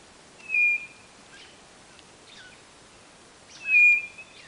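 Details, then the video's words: Two strong, flat, high whistles from a White-bellied nothura, about three seconds apart, with small chirps and squeaks of other birds around them. "CANTO DA CODORNA DO NORDESTE"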